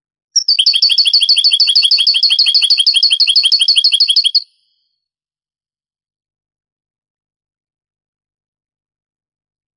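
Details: European goldfinch, Granada-style song from an old Spanish tape made in the 80s–90s and transferred to digital. About four seconds of rapid, evenly repeated, high twittering notes, then a long silence broken by a brief final chirp.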